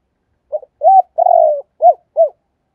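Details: Kept decoy spotted dove calling thúc and gáy gọi: a run of five low coos, a short note, an arched coo, a longer steady one, then two short arched coos, clean and close.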